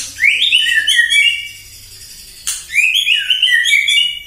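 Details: A White-rumped shama (murai batu) sings in the morning in response to a lure recording meant to excite it into full song: two rich, fluting whistled phrases, rising then rolling into quick warbles, with a sharp click between.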